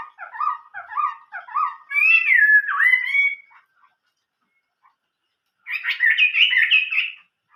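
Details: Chinese hwamei singing in the old-forest voice style: a run of five short repeated warbled phrases, then a loud rising and falling whistled flourish, a pause, and a dense burst of rapid varied notes.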